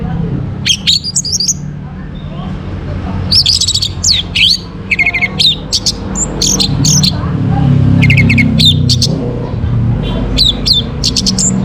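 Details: Orange-headed thrush singing in the morning, used as a lure to raise breeding condition in birds: bursts of high, varied chirps and twittering phrases separated by short pauses over a steady low hum.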